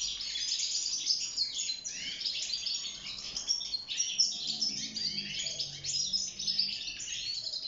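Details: Caged wild European goldfinch singing for mating and nest building: a continuous, fast twittering stream of high, tinkling notes and buzzy trills with no pauses.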